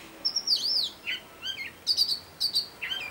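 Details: Mimicking robin singing another tune: a high, sweeping whistled phrase, then lower slurred notes and sharp repeated chirps in quick bursts, ending with a short falling whistle.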